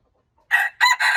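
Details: Junglefowl, March 19, 2025: brief silence, then the loud start of a crow with two short harsh notes followed by a steady, strained note still going when it ends.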